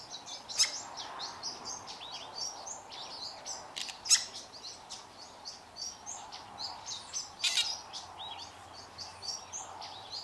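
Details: Two Fork-tailed Drongos singing in duet: a busy string of high, thin, clipped chirps and twangy notes, punctuated by a few loud harsh rasps.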